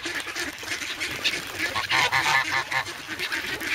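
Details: Young geese, grown from goslings, noisy and hungry and keen on bread, in snow at Sloterpark, Amsterdam, on 3 February, filmed on a Sanyo SH1 camera. Rough, nasal calls come in short overlapping bursts amid background noise.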